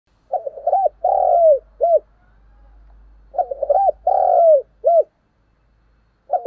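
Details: Decoy spotted dove cooing in the morning: two low, hollow coo phrases, each of several short rounded notes and one longer drawn-out coo, separated by a pause of about a second.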